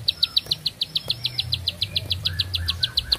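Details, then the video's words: Bar-winged prinia in long-breathed, unbroken song: a fast, even string of high, sharp, slightly down-slurred notes, about six or seven each second, over a steady low hum. "Nafas Panjang, Nembak Satu Lagu, Ciblek Sawah Gacor"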